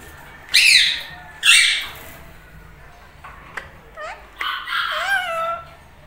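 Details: Pair of tame Indian ringneck parakeets, including a lutino bird, bonding and talking; two loud harsh screeches open, then short upward-bending chirps and a wavering, drawn-out whistled phrase with falling tail.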